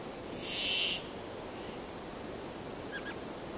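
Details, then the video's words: Brambling giving one harsh buzzing wheeze near the start, then a long stretch of background hiss with a faint brief chirp later on. "The sound of the Brambling"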